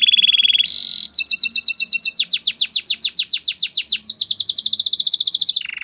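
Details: Canary song for training other canaries: a level whistled trill, a harsh buzzy burst, then long runs of rapid falling notes shifting to a higher, faster trill, ending with a brief buzzy note.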